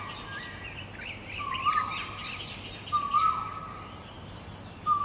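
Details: Great barbet in Guangzhou, April 2022: a mid-pitched wailing note sounds at about 1.7, 3.2 and 5 seconds, with thin high chirping from other birds around the first half.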